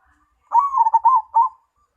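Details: Mojopahit zebra dove cooing: an extended first note, three quick wavering coos, a pause, then a final separate coo, all mellow and in a similar pitch, with a quiet background.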